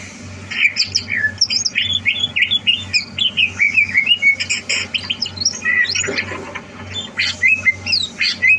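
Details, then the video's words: Captive greater green leafbird groomed for song competition, 30 November 2022; long, complex outpouring of high twittering, slurred whistles and harsh chattered notes, phrases run closely together with scarcely a pause, over low background hum. "Suara Burung CUCAK Hijau"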